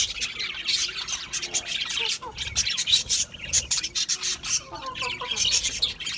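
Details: Budgie parrots in a busy group, giving a steady stream of scratchy warbled chirps and brief squawks, with a few clearer whistled notes standing out among the overlapping chatter.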